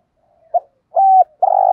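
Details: Morning cooing of a caged decoy spotted dove, kept to prompt wild-caught doves to coo all day; a brief soft note, a sustained hollow hoot, then a long purring coo that is cut off.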